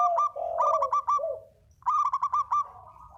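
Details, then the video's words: Spotted dove lure call used for bird trapping: low, throaty cooing phrases, each ending in a quick rolling series of burbled notes, given twice. "Burung derkuku // deruk pikat"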